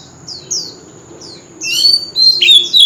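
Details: Oriental magpie-robin, an old wild bird at a street corner, gives three soft descending whistles, then a loud, bright, warbling phrase of sustained high notes.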